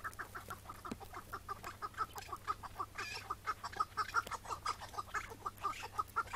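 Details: Chukar partridge trapped on a May 2017 morning and released on site. A long, insistent run of evenly spaced chuk-chuk notes, about two each second, grows louder and more regular toward the end over faint background hum.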